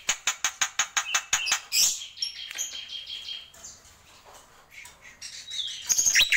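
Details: A jalak pito, the black-winged myna, starts with a quick run of about ten clipped, evenly spaced chattering notes. A bright squeal and softer, scattered whistles and chips follow in this tembakan song.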